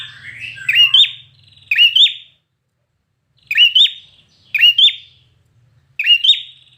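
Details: Trained contest-singing red-whiskered bulbul giving five sharp, ringing phrases, each a quick upward-then-downward double whistle, opening over a brief low hum and arriving at irregular one-to-two-second intervals.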